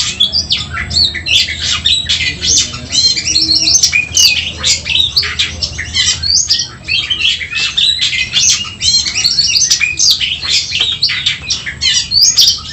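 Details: Kacer, or oriental magpie-robin, in fighting song meant to stir up emotion: rapid, crowded high chatter and sharp whistled notes in long unbroken bursts with brief dips, over a low background hum.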